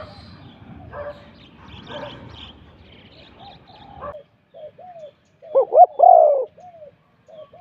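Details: Spotted dove, a bird used for decoy trapping, heard after about four seconds of low rustling noise and faint chatter: a series of soft, low, hooting coo notes, with several louder rounded coos near the end.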